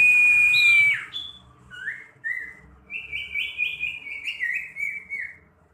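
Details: A young common iora, tested to build its fighting courage, gives a long level whistle that drops sharply. Short slurred notes follow, then a run of quick rising-falling whistled notes in a descending series.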